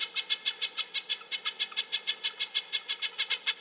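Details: Red-breasted nuthatch calling in a steady, rapid string of short nasal toots, about six per second, evenly spaced and unbroken throughout, with a faint high thin note now and then.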